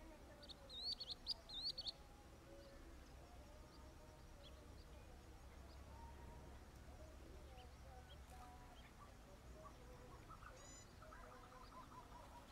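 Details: Ethiopian bee-eater, a subspecies of blue-breasted bee-eater (Merops variegatus), at Bahir Dar, Ethiopia, on 5 May 2022: a quick burst of high, sharp chirps near the start, then a faint chirp later, over steady low rumbling.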